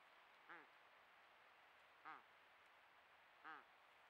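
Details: Female malleefowl calling to her mate close by in Patchewollock Conservation Reserve; three short, rich, harmonic notes about 1.5 seconds apart, faint over a steady background hiss.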